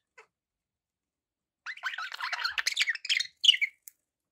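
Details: After a single faint chirp and more than a second of quiet, pet budgerigars break into a fast, buzzy warbling chatter ending with a bright whistled note.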